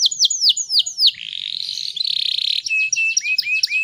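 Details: Female canary lure song for males: a few clear falling whistles, a long buzzy rolling trill, then rising slurred whistles repeated about four times per second.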